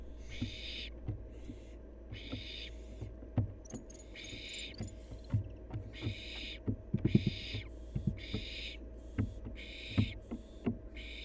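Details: Barn owl fledgling living wild, active at play, giving around nine harsh breathy hisses across eleven seconds, one brief thin high chirp early on, and plentiful clicks, scratches and thumps of movement over a low hum.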